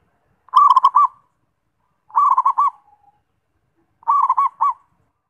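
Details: Zebra dove song: three clear phrases, each a quick run of soft, rolling coos, repeated about every two seconds over a silent background.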